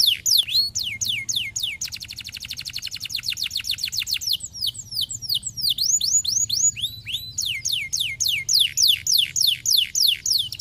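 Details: Canary song played to stimulate canaries to sing: clear descending whistled sweeps, then a fast rapid-fire trill of rising notes, then looping upward-and-downward swoops and steady repeated chirps, with a faint low hum underneath.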